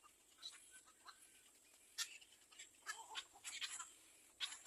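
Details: Begging little egret chick after food from its mother; scratchy, harsh chatter comes in clustered bursts, some loud single rasps and a dense run near the end.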